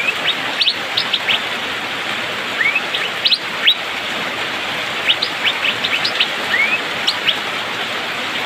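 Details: Asian fairy-bluebird, called cucak biru or pikpik, singing fast and densely in the rainy season: bursts of sharp flicked chirps and occasional rising liquid slurs, with rain steadily pattering throughout.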